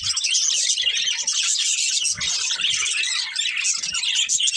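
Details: Colourful chirping budgies, a breeding pair, keep up a loud, dense twitter of high squeaky notes and rapid warbling throughout, with faint low bumps.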